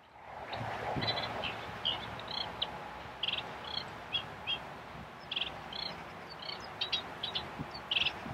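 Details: Eurasian reed warbler of subspecies scirpaceus at Kallo Groot Rietveld, Belgium, in July 2013, giving short chattering notes in irregular bursts, some doubled, over a steady low background hum.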